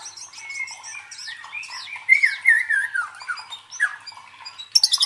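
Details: White-rumped shama song meant to stir fighting emotion in competition birds: soft chatter at first, then a loud descending series of rich whistled notes, trailing into quieter phrases and a sharp high burst at the end.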